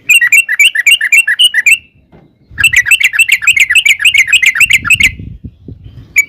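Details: Yellow-vented bulbul in long rapid 'ropel' song, used as a lure so other bulbuls answer: fast bubbly run of warbled notes near two to three kilohertz, a pause, then another long burst, with a low rumble beneath.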